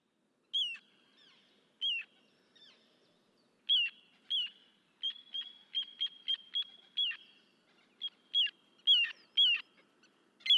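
A little ringed plover gives short, high, clear whistled 'pee-oo' notes that drop at the end, in irregular bursts of about two a second, against a quiet background.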